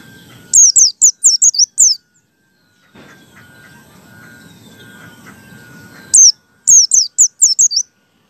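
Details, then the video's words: Caged white-eye used as a lure to make other white-eyes sing, giving high, thin, rapidly repeated chirps in two short bursts of five or six notes each, separated by a quiet stretch with faint low rumble. "PLECI BUKA PARUH ngalas 1,2,3 di jamin AMPUH UNTUK PANCINGAN PLECI"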